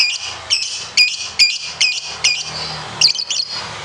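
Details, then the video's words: Contest lovebird making a quick series of high, squeaky chirps, roughly two to three a second, ending in a short chattering burst. "Masteran Loveberd Ngekek panjang"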